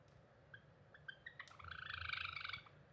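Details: Cinnamon Java sparrow song recorded on 2 April 2021, with soft clicking notes speeding up into a drawn-out, buzzy, warbling whine that lasts about a second before fading.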